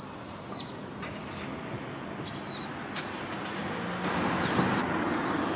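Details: In Japan in early November, just after sunset, two Brown-eared bulbuls fighting over a tree in a parking lot, possibly a territorial dispute, give thin, high, downslurred whistled notes every second or two over steady road traffic.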